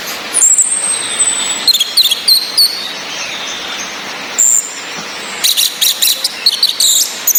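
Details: Calls of a female orange-headed thrush, meant to stir males into breeding condition: high, drawn-out whistles and quick clipped notes in scattered bursts, steady rain-like hiss beneath, mixed with male thrush song.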